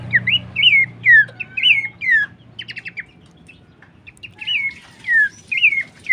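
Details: Horsfield's babbler singing on a training and lure recording: quick runs of slurred whistles, a brief burst of short, buzzy rapid notes midway, then more falling whistles over a low background hum.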